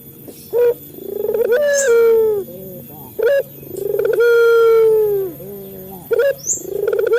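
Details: Local male Barbary dove used to train captive birds to call. Brief clipped notes lead into a long, steady, gently descending coo and a quieter low tail note. Three cycles are heard, with a faint high squeak between phrases.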